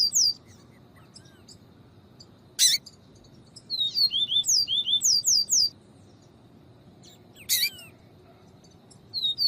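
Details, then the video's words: Double-collared seedeater giving viviti song alongside female calls, used to teach and warm up singing males. Scattered sharp clicks, then a quick series of high downslurred whistles, followed by more isolated notes. "PAPA CAPIM VIVITI E PIADO DE FEMEA"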